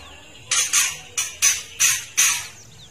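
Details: A spotted female white-rumped shama gives harsh, crackling rasps in six quick bursts, mostly paired, over about two seconds, a call used to provoke male shamas.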